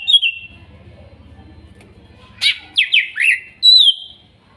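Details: Greater green leafbird from Kuningan forest, spotted and masked birds, therapy audio for a bird that has stopped singing: a short whistle, quiet pause with low hum, then a run of sharp downslurred notes and a final clear whistle.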